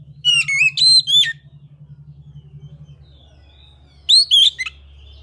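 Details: Oriental magpie-robin phrases: a cluster of loud ringing whistles, then a pause with soft notes, then another rising whistled burst; low hum in the first half.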